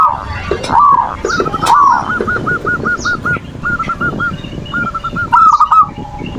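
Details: Zebra dove singing its manggung song, a lure meant to excite lazy doves into calling: a long run of evenly spaced, rolling coo notes after a few lower swooping notes, with clicks and other faint bird sounds behind.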